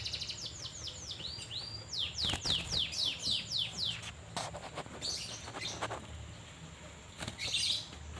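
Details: Asian fairy-bluebird in a cage, put out in the sun in Banjarmasin, gives a quick train of high, down-slurred whistles. Dry clicks and rustling follow in the second half.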